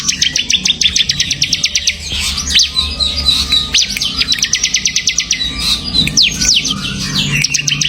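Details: Bar-winged prinia (ciblek) described as semi gacor, singing fairly actively: fast runs of sharp, high ticking notes in rapid trills, broken by short buzzy sweeps, nearly continuous throughout, with a faint low hum behind.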